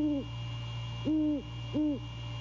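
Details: Three deep, drawn-out hoots from a male great horned owl calling to his mate while checking the nest at night, courting season, 15 January 2022; the first short, the next two longer and evenly spaced, over a constant low hum.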